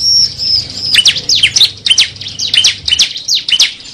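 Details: Cible call used to lure birds: a thin, high whistle, then a rhythmic run of quick, high, V-shaped chirps repeated about twice a second.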